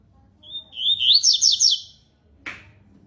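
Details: Double-collared seedeater singing: a soft rising lead-in, then a bright phrase of quick, high sweeping notes lasting about a second. A short sharp knock follows, with faint low background hum.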